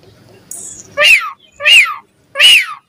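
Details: Asian pied starling, recorded in the morning as a lure to set starlings singing, giving three harsh, squawky falling notes about seven tenths of a second apart after a faint high hiss.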